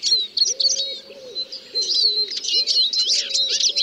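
A Eurasian siskin's fast, high twittering song runs without pause, full of squeaky trills and wheezy notes. A low, soft cooing repeats about twice a second underneath.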